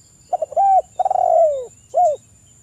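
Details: Wild spotted dove cooing as a lure for other doves: three quick soft notes, a sustained coo, a long trembling coo sinking in pitch, then one short rounded coo closing the phrase.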